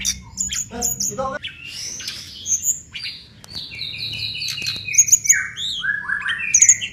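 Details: Mangrove blue flycatcher song used as a training recording for songbirds: a busy run of sweet whistled notes and slurred phrases, some rising, some falling, with short sharp chips and trills mixed in; low hum underneath.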